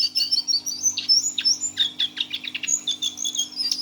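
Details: A Lesser Shortwing kept in a cage, six months old, sings teler style: high wavering whistles followed by a quick run of sharp chipping notes, about three per second. A faint steady hum runs throughout.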